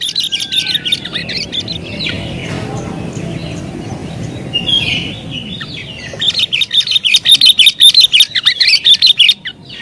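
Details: Wild-bird lure recording of an agitated sooty-headed bulbul: faint, scattered chirps over a muffled background, then a fast, loud chattering run of sharp notes near the end.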